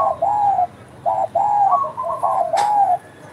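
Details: Derkuku, or spotted dove, in steady voice: soft, hollow coos grouped into short phrases, then a brief gap and a longer run of linked notes ending in a drawn-out coo, with one sharp click.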